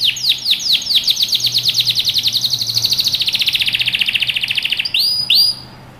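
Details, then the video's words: Canary training song: a long, accelerating series of downslurred whistles that grow louder and slightly lower, ending in two long bright upward-curving whistles over faint background hum. "canary singing over power canary most powerful song for best training"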